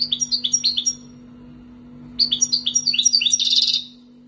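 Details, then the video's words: Wild-caught European goldfinch, kept and raised for two years, Algeria: two bursts of quick, bright twittering notes, the second running into a dense buzzy trill, over a steady low electrical hum. "مقنين خلوي مربيه عامين برت"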